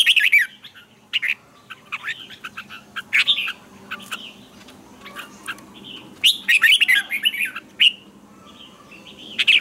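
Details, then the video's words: Red-whiskered bulbul singing a morning song, recorded as a lure bird for training others. Rich warbled phrases rise and fall in bursts, separated by short pauses, with a faint low hum underneath. "luyện chào mào hót sáng hay nhất 2020, Âm kép xoắn căng, cách luyện chào mào hót căng lửa"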